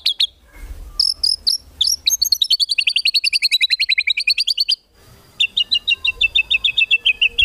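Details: White-rumped shama master song with full 'isian tembakan' for competition birds: several sharp chips, a long fast trill, a brief break, then a second even, rapid trill at a lower pitch.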